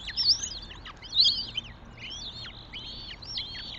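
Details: Northern goshawk at its nest in Tartu, Estonia, on 27 May 2025: high, arched whistled calls that rise then drop, given about once a second, several overlapping, over a faint low hum.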